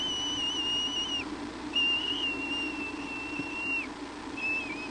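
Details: Bald eagle at the Hornby nest on an evening visit, 22 July 2011, with the mother bringing a branch. The call is a long, thin, level whistle held about a second, then a longer one with a falling end, and a short final note.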